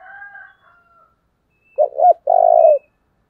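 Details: Calling decoy spotted dove meant to draw wild birds. Soft distant whistles of other birds come first, then one loud phrase: two short hooting coos and a sustained buzzy low coo.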